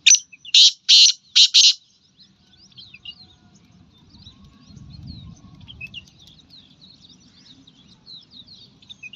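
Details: Black francolin (black partridge) in the morning gives four loud, harsh, grating notes in quick succession; afterward, small birds twitter softly over a low rumble.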